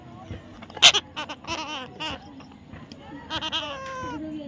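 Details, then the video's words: Baby parrot being tamed, giving varied nasal, harmonic chattering calls and bent squeaky notes in irregular bursts, over a steady background hum. "natural funny parrot sound"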